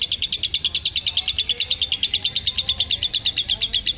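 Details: Lovebird ngekek panjang for tutoring young birds: shrill, fast chattering notes repeated evenly, about three per second, forming a steady unbroken trill.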